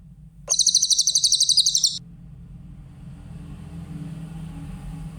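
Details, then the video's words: A single bright, high-pitched trill of quick repeated notes, about one and a half seconds long, from a grey-headed canary-flycatcher used as a master recording for songbird training; a low background drone continues after it. "Masteran burung cililin , suara jernih"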